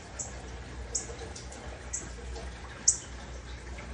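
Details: A northern cardinal chirping near a cat gives faint, sharp, high chips at an uneven pace, about one a second, over a low steady hum.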